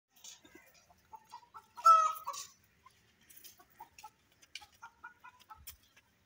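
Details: Grey francolin in breeding season, playing in mud: soft scattered clucks, then one loud harsh harmonic call, followed by more short clucking notes.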